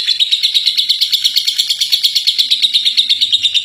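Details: Ngekek from a champion contest lovebird: unbroken, loud, high chattering with regular pulses close to three per second throughout, plus a faint low hum.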